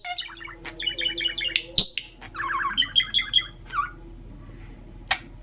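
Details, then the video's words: Chatty bird delivering rapid, varied chatter: quick runs of buzzy trilled notes, sharp rising whistles and clicks, broken by short pauses. A faint steady low tone sits in the background. "Chatty bird!"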